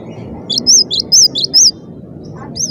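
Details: Cinereous tit song, dense and energetic: three loud, high arched whistles with softer slurred notes between them, then a pause and one final note, over a low rumbling background.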